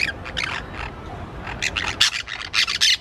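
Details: Green parakeets in Colombia, a pair kept for a year and a half, utter a rapid series of harsh, scratchy squawks, some bursts loud and clipped, others softer, repeated irregularly with brief gaps and faint rumble beneath.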